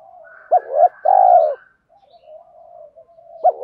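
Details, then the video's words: Spotted dove call, male and female birds, used to stimulate training doves. A clipped note, a hoot and a long low coo, then gentle continuous murmuring and the start of another phrase. "Tiếng chim cu gáy THÚC GÙ Gáy Gọi, nhiều bài vở(tiếng chim cu gáy kích bổi hiệu quả)"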